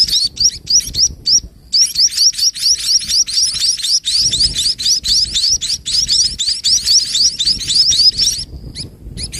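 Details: Sparrow chicks and their mother at an evening feeding, the parent filling the young before nightfall; dense runs of sharp rising chirps, about four per second, broken by short gaps near the start and end.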